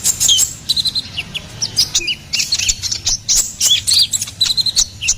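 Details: Ruby-cheeked sunbird song for songbird training and luring: bright high chirps and little rising-falling whistles delivered in quick clusters, separated by short gaps.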